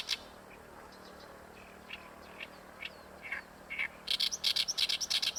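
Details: Oriental reed warbler at Ikeshima: scattered quiet notes, then a loud, rapid grating rattle of repeated strokes to the end.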